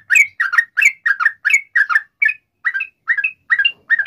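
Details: Lively gacor song of a sooty-headed bulbul in the long ropel style, meant to prompt other sooty-headed bulbuls to answer: a fast run of bubbly two-part phrases, then slower, clearer rising notes toward the end.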